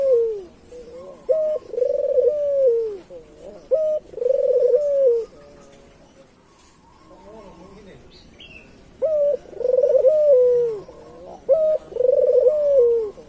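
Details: Island collared dove, local type, calling strongly as a lure for other doves: bursts of clipped notes and trilled, falling coos, a quiet gap midway, then more coos resume, with faint distant chirping.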